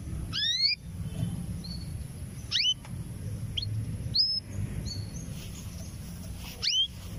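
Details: Female domestic canary, about six to seven months old, ready to breed, calling for a male; sharp rising upslurred whistled calls spaced every two seconds or so, with faint softer notes between over low steady hum.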